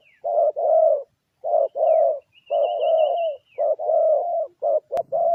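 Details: Low, purring coos from a spotted dove kept as a lure, short notes alternating with longer tremulous croons. A thin, higher wavering whistle from another bird passes over them, and a sharp click comes near the end.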